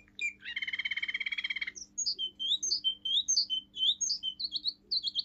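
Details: Forest tune from a seven-month-old male Russian singing canary of a pure song line: a long, fast rattling trill for over a second, followed by high, sliding whistled phrases.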